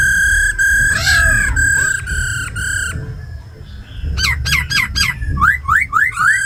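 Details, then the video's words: Laughingthrushes, a female giving rattling 'ro khẹt' calls and a tame khướu mun singing in 'giọng rừng' forest style, played to excite captive birds: loud held whistles near one pitch, then rapid rising slurred notes repeated in quick bursts. "Tiếng chim khướu mái ro khẹt + khướu mun thuần hót giọng rừng kích bổi căng lửa"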